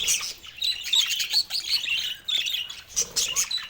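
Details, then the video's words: A baby budgerigar gives its first calls: thin, high, scratchy chirps in quick clusters, with brief pauses between bursts. "セキセイインコの赤ちゃん 初めての鳴き声"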